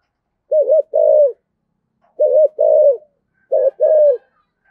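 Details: Spotted dove kept as a decoy, calling in the deep 'giọng thổ' style: three paired coo phrases, each a short double-humped note followed by a longer, level hoot, repeated about every one and a half seconds.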